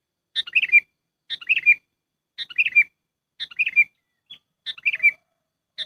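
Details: Sooty-headed bulbul giving a trapping lure call: a steady series of six chirpy phrases, each a high peep followed by a quick tumbling trill of falling notes, roughly one per second, clean background.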